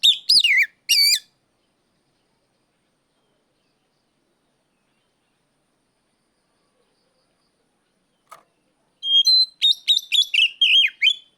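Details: Oriental magpie-robin loudly challenging a rival. It opens with two short, slurred whistles, then stays silent for about seven seconds apart from a faint click. A run of about nine rapid, ringing, wavering whistled notes follows.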